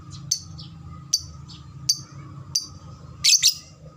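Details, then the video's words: Lovebird lure sound meant to prompt quick ngekek chattering in other lovebirds: sharp high chirps repeated roughly every 0.8 seconds, ending in a doubled squeaky burst, with a constant low hum behind. "SUARA BURUNG LOVEBRID TERCEPAT, bikin cepat respon ngekek"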